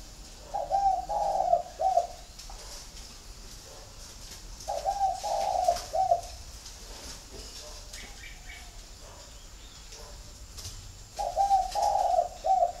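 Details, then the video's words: Spotted doves from a home flock in Ba Vì, Hanoi, Vietnam: three mid-pitched cooing phrases, each a short run of two or three throaty coos about four to five seconds apart, with faint background chirps. "Nhà chẳng có gì ngoài đàn CHIM CU GAY"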